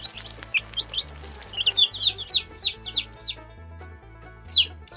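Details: Chicks peeping: high, thin notes sliding downward, given in quick bursts with a short pause near the middle, then two more at the end, over soft background music.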